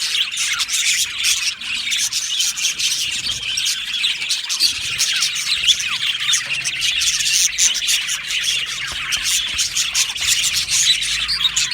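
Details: Budgerigar colony in an aviary, a continuous high chorus of chirps and warbling chatter, individual squeaky notes popping out now and then.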